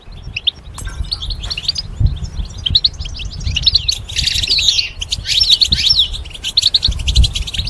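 A goldfinch sings a fast, liquid stream of tinkling twitters and buzzy trills, with rising and falling notes, over a low background rumble.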